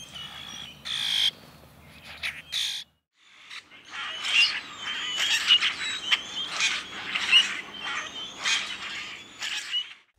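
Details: Common Grackle, an adaptable Midwest blackbird whose flocks return as early spring migrants in February–March, giving harsh, creaky squeaks and short rasping bursts about once a second, with a brief silent gap early on.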